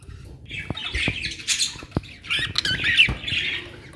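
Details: Budgerigars in a home colony in Pakistan, called Australian parrots, giving a run of harsh, high, buzzy squawks and chirps, with sharp clicks and cage taps scattered between the calls.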